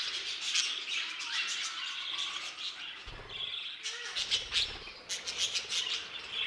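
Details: Many budgerigars kept in an aviary chatter constantly, a busy high warble laced with scattered sharp tick notes; brief low rumbling bumps midway.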